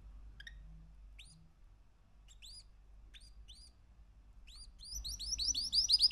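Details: A 3-month-old male canary gives a few scattered, high upswept chirps, then breaks into a fast, rolling trill of rising notes that grows louder, over a faint low hum.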